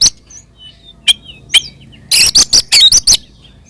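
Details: Oriental magpie-robin ngeplong fighting song meant to provoke others of its kind: a few isolated sharp notes, then a brief loud burst of rapid scratchy whistles.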